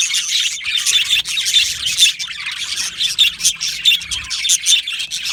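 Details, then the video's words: Chorus of yellow male budgerigars in an aviary, a steady high chatter of quick warbled chirps with brief whistled peaks rising and falling every half second or so. "Beautiful Yellow Male Budgies Birds Chirping sounds"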